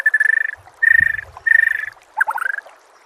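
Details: White-rumped shama master song for making other shamas sing: three steady buzzy rattles, each about half a second long, followed by a shorter varied phrase.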